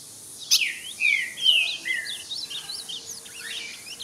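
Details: Ultramarine grosbeak singing at a rival bird: slurred whistled notes sliding down and level, a loud phrase near the start, then softer high twittering from other birds through the rest.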